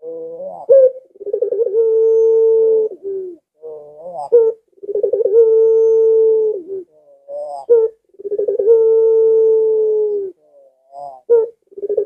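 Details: A not especially aggressive dove whose curving coo is said to prompt other doves to answer gives a short rising note, then a long, steady, low coo, repeating about every three seconds with nothing else heard.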